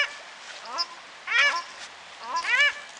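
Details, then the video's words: Paradise shelducks in New Plymouth, New Zealand, around a take-off: a few loud harmonic honking cries in two bursts, the first preceded by a softer lower call, with a faint splash-like background. "Paradise Ducks New Plymouth"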